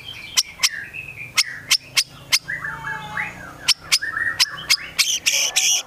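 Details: White-rumped shama from Medan singing a varied mimicry-filled song: sharp clicks and chips between softer warbled and whistled phrases, over a low steady background hum.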